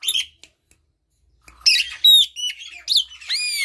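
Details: Song of an Asian pied starling, used to prompt quiet birds to sing. One brief note and a pause, then a quick run of clear, ringing whistles that slur up and down, with rasping notes between them.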